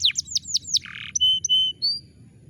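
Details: Canary song for restarting a bird that will not sing: a few quick descending notes, a brief harsh buzzy burst, then clear steady whistled tones and a final rising note.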